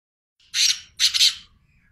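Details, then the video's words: Call of a black francolin: two loud, harsh, grating bursts roughly half a second apart, the second split into a double pulse, against near silence. "teetar awaz | teetar voice | Black francoline teetar sound | Teetar ki awaz"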